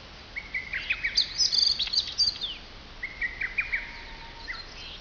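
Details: Wild birds singing in woodland at the foot of Mount Fuji near Fujiyoshida, Japan, when the summit snow had nearly melted: high, clear whistled phrases with quick trills and rising and falling notes, several singers overlapping, light background hiss.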